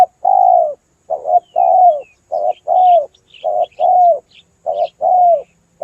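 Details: Spotted dove cooing steadily for luring birds: short and long low coos alternating almost without pause, the long ones falling at the end, while small birds chirp faintly and thinly in the background.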